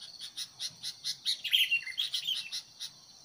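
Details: Sooty-headed bulbul used as a decoy to provoke fights with wild birds: a rapid, uneven run of sharp, high chirps, roughly four per second, some notes slurred or buzzy, with little else audible.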